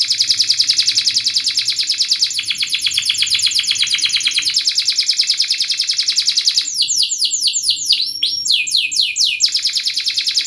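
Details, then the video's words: Canary in full song, a 'speed' style recording meant as a lure so young canaries learn quick rolling song: a long, buzzy, very rapid high trill lasting over six seconds, then a run of downward-swept whistled notes. "Kenari gacor Speed RAPAT TAJAM ini ahlinya untuk pancingan kenari Paud belajar bunyi Cepat NgeroL"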